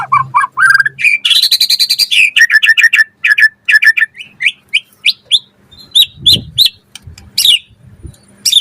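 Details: White-rumped shama in vigorous song for training other birds: a rattling high trill, a stream of quick chirps, then spaced sharp rising notes with brief gaps; a faint low thump sounds midway.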